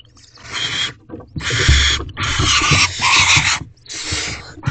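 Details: Barn owls at a nest box in the evening, a male delivering a rodent to the family: loud broadband hissing screeches in bursts of about a second, separated by short gaps, with scraping and thumps.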